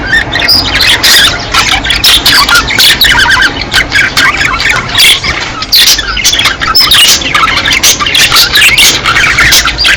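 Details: Budgerigars in mating season, a busy flock giving dense, overlapping squeaky chirps and warbled twitters with no pause, bright and high, some harsher squeals mixed in.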